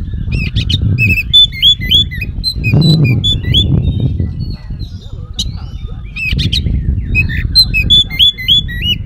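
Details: Oriental magpie-robin delivering a long imitation-packed song as bait for other magpie-robins to respond; clusters of hooked whistles and high chips come in bursts, separated by quieter stretches of low background rumble.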